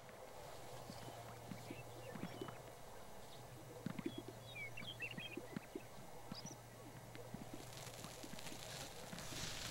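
Greater sage-grouse give low, hollow pops and soft swishes at an irregular pace over a steady low hum, with faint chirps from small birds and wind toward the end.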